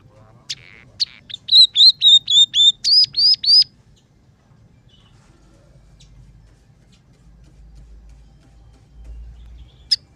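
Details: Scaly-breasted munia (emprit peking) song for training other birds: a run of about eight high, clear whistled notes, each bending slightly, repeated quickly for two seconds, then quiet.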